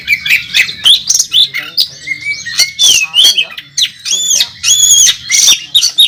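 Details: Oriental magpie-robin singing in fierce fighting mode at a bird competition, national first-place winner: mixed whistles and rasping squawks, broken into loud, separate bursts with short pauses, some harsh and nasal.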